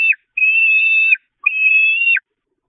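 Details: At a church nest on the Catharinakerk, hungry peregrine falcon chicks attack their mother on 5 May 2021. Two long, steady, high-pitched whining calls, each ending with a quick downward slur, separated by a brief pause.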